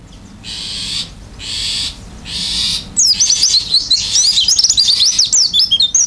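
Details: Oriental white-eye delivering open-beaked gacor isian song. Three breathy, hissing bursts come first, then a loud, rapid flood of high, twisting whistles and chirps lasts for about three seconds.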